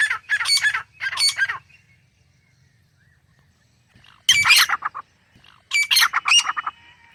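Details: Wild Grey Francolin from a male-and-female pair in natural forest: two rasping notes, several seconds of quiet, then two more loud grating bursts.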